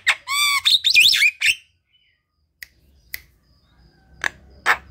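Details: Javan myna song for drawing out silent mynas: a loud opening of wavering, warbled whistles and chattering, then quiet gaps broken by single sharp notes.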